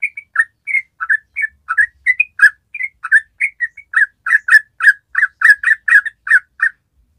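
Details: Lively trucukan (yellow-vented bulbul) ropel song for coaxing untrained birds into singing: loud, rich, slurred chirps, at first spaced, then speeding into a steady run of rapid, bright notes.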